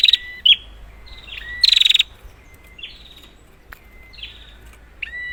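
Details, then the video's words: Prinia used as a lure: softer, more spaced phrases of thin sliding whistles and a single strong buzzy rattle near the start, against a low background hiss. "Prenjak, Pancingan ampuh untuk burung prenjak macet"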